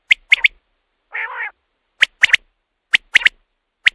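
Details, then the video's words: Common quail sound played at night to lure quail for hunting: a sharp three-note phrase, a brief harsh nasal burst, then more clipped high triplets and single notes. "batair ki awaz raat k liye | quail calling"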